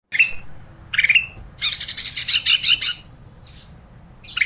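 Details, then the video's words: Olive-backed tailorbird singing energetically, an isian-style song: a sharp note near 0.2 s, a bright chirp at 1 s, then a dense run of rapid high buzzy chips from 1.6 to 3 s, with a faint note after and a burst at the end. "suara isian, ranting gacor"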